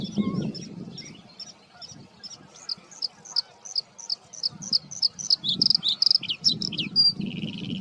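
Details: Male bluethroat singing from reeds and shrubs while defending its territory; a quick varied run of buzzy, twanging high notes and sharp chips that speeds into dense trills, with low rumbling background noise.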